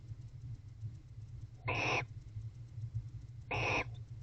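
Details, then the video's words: Barn owl pair mating inside a nest box at night in autumn courtship season, making unusual calls: two broad rasping hissy screeches about two seconds apart, over a constant low background hum. "Bonded Barn Owl Couple Mating, Unusual Vocalizations."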